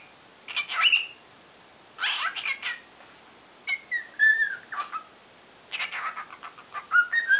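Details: Cockatiel kept as a pet, spreading its wings during a singing lesson: short bursts of whistled, slightly harsh notes roughly once a second, including a clear descending whistle in the middle and rising whistles near the end.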